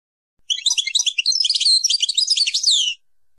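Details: Named goldfinch song note: one dense, continuous burst of high, jangling twitters and buzzy chirps, ending in a descending slurred whistle, on a clean silent background.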